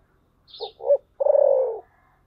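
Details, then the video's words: Spotted dove singing in the voice style called thổ sấm: two short low hooting notes followed by one long, throaty, slightly falling coo, given once. "cu gáy giọng thổ sấm"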